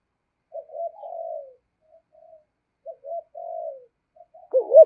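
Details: Spotted dove cooing in the deep 'giọng thổ' voice style with 'thúc gù' coos: two phrases of short low notes running into a longer wavering coo, separated by a pause, ending in a louder sharp coo; no other sounds.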